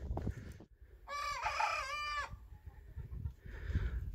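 A young rooster tries to crow: a single hoarse, wavering crow about a second long that stops abruptly. Low rumbling background noise throughout.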